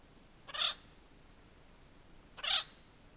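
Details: An acorn woodpecker at a stump water hole, drinking and calling, gives two harsh, nasal, raspy calls about two seconds apart, each brief and buzzy, over a quiet background.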